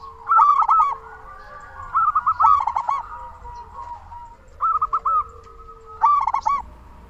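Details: Local zebra dove giving lure calls meant to prompt silent doves to sing: four clipped, bubbling phrases of quick cooing notes spaced about every one and a half seconds, with a faint sustained tone underneath.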